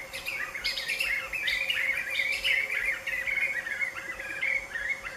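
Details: Late-afternoon chorus of Black-fronted nunbirds singing together side by side: busy, overlapping, rollicking phrases with higher sharp notes layered on top, unbroken and loud.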